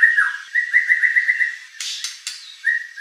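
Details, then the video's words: White-rumped shama song used to incite a competition bird: a buzzy sustained trill on one pitch, two short harsh bursts, then the trill resumes. "shama bird beautiful song performance"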